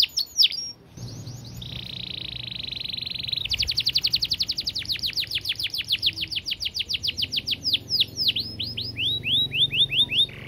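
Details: Fast, dense canary song, long and clear, meant for training other birds: brief sharp notes, a steady buzzy whistle, then a long rapid run of downslurred repeated notes ending in quick trills, with faint low background hum.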